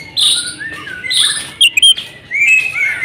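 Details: Female Oriental magpie-robin calling the male; a few drawn-out, buzzy whistled notes with short gaps, one pair of brief sharp chirps in the middle.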